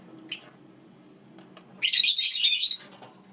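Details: Lineolated parakeets with chicks, kept as pets. A single sharp chirp, then a harsh, rasping, noisy squawk lasting about a second, over a quiet background.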